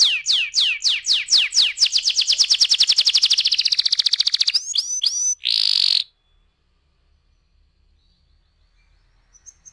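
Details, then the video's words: Canary roll song used to stimulate other canaries to sing: rapid descending notes speed up into a dense buzzing trill, then a short loud harsh burst, followed by near silence with faint distant chirps. "PANCINGAN TERCEPAT dan SUKSES BIKIN KENARI GACOR NGEROLL"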